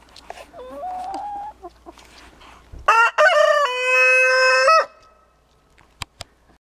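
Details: A rooster gives a soft rising note first, then a loud full crow of nearly two seconds, stepped and harmonic, held level before breaking off, with two sharp clicks and faint background noise afterward.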